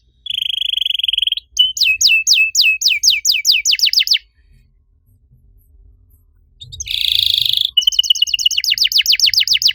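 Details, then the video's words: Canary master song used to stir other canaries that have stopped singing: a steady buzzy trill, then fast repeated descending whistled sweeps, a pause, then a harsh rolling burst and more rapid downward-sweeping notes. "MASTERAN KENARI AMPUH BUAT MANCING KENARI LAIN YANG MACET BUNYI! - CANARY SINGING"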